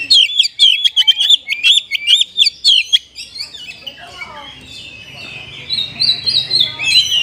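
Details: Oriental magpie-robin song with kapas tembak flavour: a fast series of bright whistled chirps, then softer warbling with a low hum behind.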